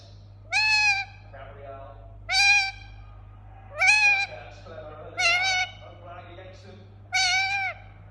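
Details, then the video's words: Indian ringneck parakeet kept as a pet, uttering five strident, nasal screeches about one every one and a half seconds, each sharply arched in pitch, over a constant low electrical hum. "Relaxing Parrot Making Sound"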